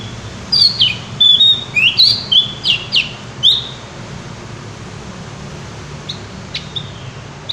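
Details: Javan white-eye in full song, giving a rapid sequence of sharp, high, swooping chirps and whistled slurs for about three seconds, then only a few scattered soft notes over a low background hum.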